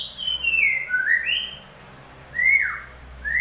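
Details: White-rumped shama song as a lure for a bird that has gone quiet: long gliding whistles, one falling, one rising, then a high note swooping sharply downward over a faint steady hiss.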